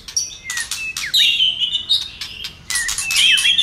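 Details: White-rumped shama, fired up and flicking its tail, singing a stimulating song: high whistled phrases slurring down and rising, mixed with sharp broadband clicking bursts, about four notes per second.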